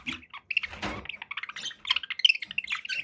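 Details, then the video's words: Pet budgerigars chattering: quick, high chirps and twittering notes in an uneven stream, interrupted near the start by a short rustling clatter. "1 hour of budgie sounds"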